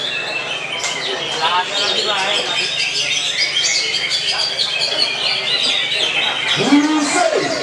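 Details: A Sumatran leafbird sings at a songbird contest, pouring out a fast, varied stream of bright chirps and quick slurred whistles, with clapping and crowd voices underneath and a brief human shout near the end.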